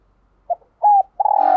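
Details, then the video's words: Spotted dove decoy calling wild doves in the morning: a short soft note, a level sustained coo, then a rolling, vibrating croo that begins as the clip ends. "Tiếng Chim Cu Mồi Gáy Gọi Bổi Buổi Sáng"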